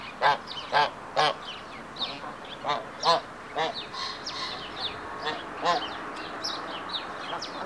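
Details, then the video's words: Hybrid Canada geese, a pair in the second stage of pair formation, trade loud, nasal honks in the male's courtship triumph ceremony before the female, about ten in eight seconds at an uneven pace, with softer honks between. "Брачное поведение гибридных канадских казарок. Триумф церемония"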